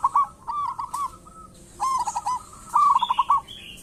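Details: Zebra dove, local type, singing as a lure for other doves: short rolling coo phrases with gaps between them, ending in a rapid stuttered series, plus a faint high chirping from another bird near the end.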